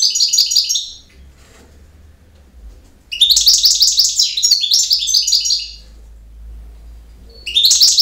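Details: European goldfinch giving its campero song: jangling, rapid twitter phrases of bright metallic notes and rasping trills, one long phrase of almost three seconds. A faint low hum fills the pauses.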